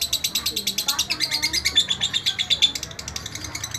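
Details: Kept lovebird singing a tutor track: a rhythmic, high, harsh chatter of pulses about three per second, loudest in the middle and tapering off near the end.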